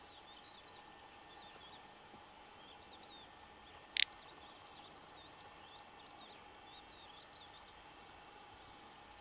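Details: A little bustard in Extremadura in May 2005 gives a single short, dry snorting 'prrt' midway through, over steady pulsing insect trills and faint chirps of other birds.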